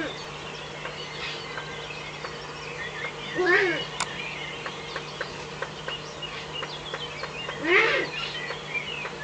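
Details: Eurasian eagle-owl at a nest in the Eifel at dawn, 05:40 on 17 May 2013, another owl visiting out of view: two arched, harmonic calls about four seconds apart stand out above busy songbird chatter and a steady low hum.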